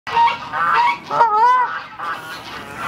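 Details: A male Indian peafowl at Tule Springs, heard up close in the morning, gives loud, nasal, honking mating calls, three harsh blasts in under three seconds, the middle one wavering up and down.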